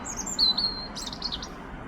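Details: European robin singing in London: thin, high whistled notes, a sustained piercing tone, then a quick jumble of fluttering, tinkling phrases over soft background hiss.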